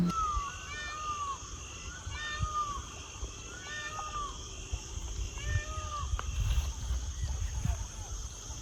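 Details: Indian peafowl at dusk (about 5:30–6 pm) beside a tea garden and dense forest below hills at Oodlabari, Dooars, North Bengal: several peacocks give loud, nasal, arching wails in quick succession over a steady high insect buzz and low wind rumble.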